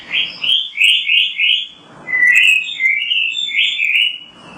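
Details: Kacer, the Oriental magpie-robin, in active 'gacor' song for training birds to sing: sweet whistled notes repeated in quick, even runs, a brief lower dip, then another run of bright whistles.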